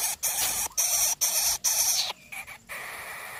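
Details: Three Greater coucal chicks in the nest begging greedily from an overwhelmed parent: harsh, hissing bursts of broad rasping noise, each about half a second long, separated by brief silent gaps, then quieter fragments.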